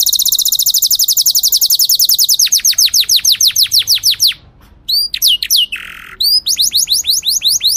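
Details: Canary song for training chicks and getting hens ready to breed: a fast high trill turns into falling whistles, a brief pause, a lower steady tone, then more downward sweeps.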